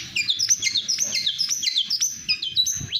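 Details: National champion long-tailed shrike in speed-style song, delivering quick high whistled slurs and downward-sweeping notes in rapid succession, many short sharp phrases packed closely together.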